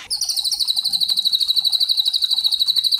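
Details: White-rumped shama giving a kretekan rattle, used as a lure to provoke juvenile and other shamas into singing: a fast, even, high buzzy rattle of clipped pulses, about twelve per second, steady throughout.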